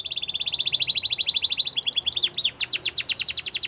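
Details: Canary singing to train young canaries: a rapid steady trill of high notes that slowly drops in pitch, then a switch to louder sweeping chirps repeated in quick succession.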